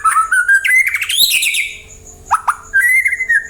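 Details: Song of a white-rumped shama used to coax other birds into singing back: smooth rising whistled phrases, a buzzy upward sweep, two short sharp notes, then a long level whistle.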